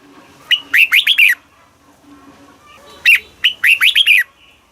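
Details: Red-whiskered bulbul singing southern master style phrases to excite caged birds. Two crisp rippling bursts of five or six rising-falling notes are heard, clear against a quiet background.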